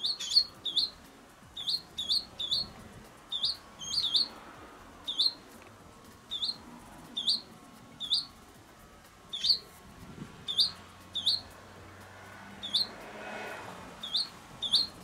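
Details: Swallow nestlings about 16–17 days old, hatched 22–23 March, in a nest on a sunny day, 8 April 2020, during their first wing-flapping practice, give thin, high chirps, often in quick pairs, about twenty in fifteen seconds, over faint hiss.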